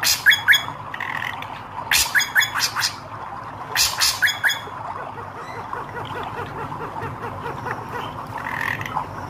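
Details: Red-eyed hair-crested drongo singing vigorously: loud bursts of sharp, ringing notes with rich overtones, clustered in quick runs around the second and fourth seconds, plus softer whistled phrases between over a constant low background hum.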